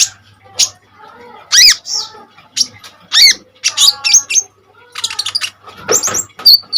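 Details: Common iora, in lively full song with sharp bursts, used as a lure and tutor for training birds: scattered bright chirps, rising and falling whistled notes and short buzzy bursts in irregular phrases, quiet gaps between them, faint low hum.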